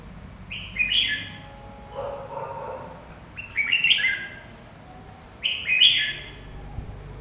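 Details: Red-whiskered bulbul singing: three short bright warbled phrases, each a quick rising-and-falling cluster of whistled notes repeated every two seconds or so, with one lower barking sound in between.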